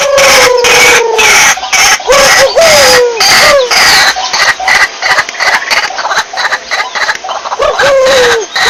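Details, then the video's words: Calls of a white-breasted waterhen used as a lure: a harsh, ragged pulsing chorus with brief downslurred nasal notes scattered through it, one longer slide at the start and another near the end. "SUARA BURUNG RUAK RUAK PIKAT"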